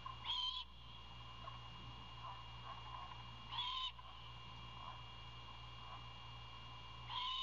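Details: Hungry young owl screeching for food from its father: three hoarse, hissing calls spaced about three and a half seconds apart over a persistent low hum.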